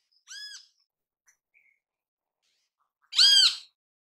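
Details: Great kiskadee in natural habitat calling: a short buzzy harmonic note, then after a pause a louder harsh rasping note, with faint high chirps between.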